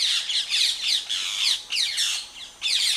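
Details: Rose-ringed parakeet (Indian ring-necked parrot), wild, at a nest attacked by a monitor lizard, giving harsh, grating screeches in rapid bursts, roughly two or three a second, almost without pause.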